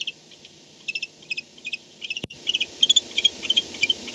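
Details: Night nest-camera recording of barn owls at 4:38 am, 2-10-16, with one owl arriving back at the nest; rapid high clicking twitters in short paired bursts, a sharp knock midway, then louder, denser chitters.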